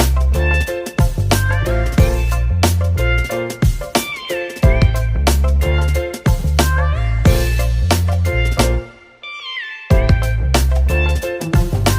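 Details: Plucked-string instrumental music with a steady beat and deep bass, with one short pause near the end and no animal voices.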